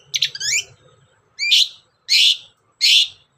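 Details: Long-tailed shrike, used as a lure to get other shrikes singing: a short twittering phrase, then three loud harsh rasping calls, evenly spaced, with a faint low hum behind.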